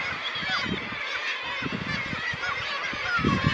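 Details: Crowd of black-legged kittiwakes at Ekkerøy, Norway, on 2 June 2018. A constant wash of overlapping nasal, wavering calls from many birds, with low thudding wind noise underneath.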